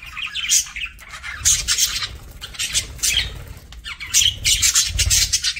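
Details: Pet parakeet (budgerigar) at a meal: bursts of scratchy, broadband crunching and rustling come in uneven clusters about once a second, with a soft low thump beneath some bursts.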